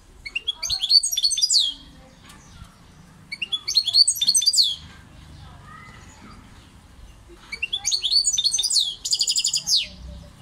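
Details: European goldfinch melodies in three separate bursts, each about a second long, of rapid, jangling twitters and upswept chirps. The last ends in a buzzy, rattling trill, with soft low noise between phrases.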